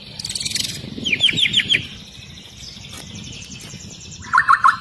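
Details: Long-tailed white-rumped shama, agitated and singing with dense, high-pitched rapid-fire notes: a buzzy high burst, a quick run of sharp chips, then loud rattling notes at the end, with other birdsong faint behind.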